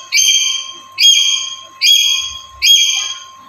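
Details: A Black-capped lory, vocal every day and used as a calling lure, gives four loud, harsh, ringing screeches, each about half a second long and just under a second apart, over a faint steady background tone.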